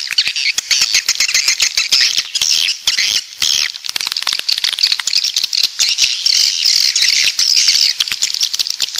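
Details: Swiftlet sound, known locally as walet pantai, said to come from the south: a dense, continuous crackle of high rattling chirps and clicks from many birds at once, with no pauses.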